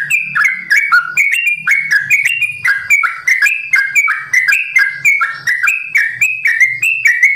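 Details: Bird-farm Sooty-headed bulbul singing the long, rapid 'ropel' style: bubbly whistled phrases of two or three slurred notes repeated in quick succession, steady and loud, with faint low thumps beneath.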